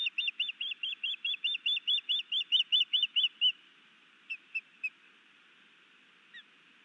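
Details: Osprey at a nest cam in Missoula, Montana, 11 May 2019, while a new male sky-dances and carries a fish to his mate: a long, fast series of piercing whistled notes for three and a half seconds, then three isolated chips and one faint note.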